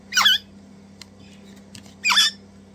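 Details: Hand-fed Crimson Rosella chicks, two of them, eating enthusiastically; two loud, rasping squeals about two seconds apart, with faint clicks between them over a low steady hum.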